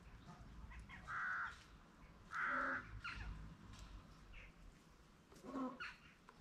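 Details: Two loud, harsh, nasal honks about a second apart from peafowl at a peacock farm, then a shorter, fainter call, over a low steady rumble of background noise.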